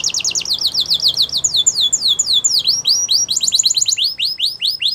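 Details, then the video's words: Belgian canary song used for canary training, a continuous chain of high swept notes and trills varying in speed, with slower curved upward-and-down syllables toward the end. "Belgian Canary Song That Fascinates Everyone !! Canary Training"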